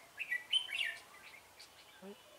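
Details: Red-whiskered bulbul singing as a decoy to lure rivals into a trap; a short burst of warbled, slurred whistles, brief and moderately loud, followed by a faint low note.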